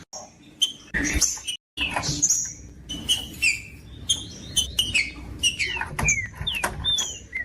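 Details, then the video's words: Green-winged saltator whistling short sliding phrases among clicks and rustle, several rising and falling notes in each burst, over a constant low hum, with a short dropout early on. "MELHOR VÍDEO PARA ESQUENTAR TRINCA FERRO COM TRINCA FERRO CANTANDO"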